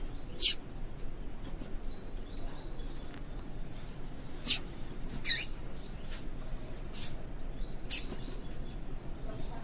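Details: Female yellow-bellied seedeater calls used to get males singing: brief, thin, high-pitched chips repeated at irregular intervals, about six across the recording, with soft low background rumble.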